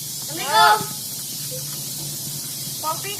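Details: Common hill myna imitating human greetings and the word Allah: one short, voice-like harmonic utterance that rises and falls, lasting about half a second early on, then a steady low hum and faint rustling.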